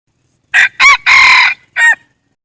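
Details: Red junglefowl cock, a wild bird, gives a full crow of four parts: two short harsh syllables, a longer sustained strained note, and a final brief clipped note after a gap.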